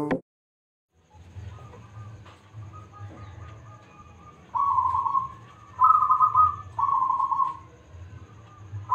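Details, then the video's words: Loud-voiced local zebra dove singing actively, used as a lure to draw other doves into song; after a near-silent start, three loud rolling trilled coo phrases arrive from midway, over a steady low hum. "Perkutut Lokal Gacor Suara Besar - AMPUH Buat Pancingan - NYAUT!!!"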